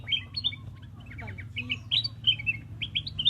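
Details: Black-crested bulbul chirping in a run of short, bright notes, some rising and some falling, in clusters through the clip, over a steady low hum.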